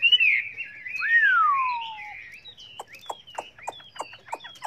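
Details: Chinese hwamei singing many varied voices: a long slurred whistle gliding down, followed by sharp clicking notes repeated about every quarter second with thin high whistles.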